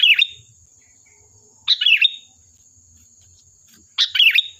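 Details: Sooty-headed bulbul singing, a lively bird used as a lure to draw other bulbuls into replying: three bright, fast phrases of tumbling, downward-swept notes, spaced about two seconds apart, over a faint steady high whine.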